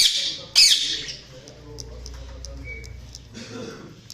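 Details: Budgies give a loud, harsh, high chirping burst lasting about a second, followed by quiet low voices and a faint thin whistle.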